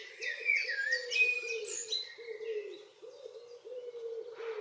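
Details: Common blackbird's evening song on a June evening in northwest Zealand, Denmark: a fluty, mellow warble breaking into higher squeaky twitters, while a low, steady cooing runs beneath throughout.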